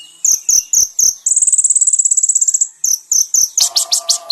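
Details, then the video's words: High-pitched kolibri ninja song from a full masteran track for caged-bird training. Spaced sharp chips lead into a long fast trill lasting over a second, then more chips and a burst of harsher notes. "MASTERAN BURUNG KONIN TERBAIK SEPANJANG MASA FULL ISIAN MEWAH MATERI KOMPLIT"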